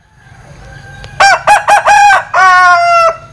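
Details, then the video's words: Linh Kê chicken giving its strange crow: a broken series of four short harmonic bursts followed by one longer sustained note, loud and clear over a quiet background. "Tiếng Gáy Độc Lạ. Gà Linh Kê/ Strange Crow Sound"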